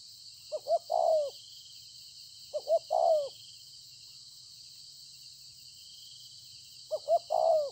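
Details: Newly caught wild spotted dove from the fields, recorded 26 September 2020, cooing three times: each phrase two quick rising notes then a long falling coo, spaced two to four seconds apart, with a faint low hum and high hiss behind.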